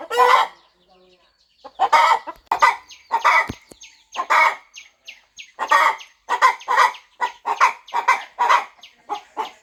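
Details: Mother hen clucking on her farm nest before hatching. Rhythmic throaty clucks roughly twice a second, with faint thin high peeps woven between them.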